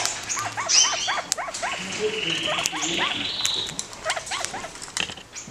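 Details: A pair of caged kakariki leaping and playing after their cage was cleared for space; long run of evenly spaced short arched chatter notes, then a pause with a soft whistle and lower murmurs, and another chattering series.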